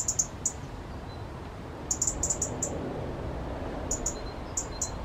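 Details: Agitated resident robin, disturbed by two other robins nearby, repeats very high, short ticking notes in small clusters every second or two, with a few faint thin whistled notes between them.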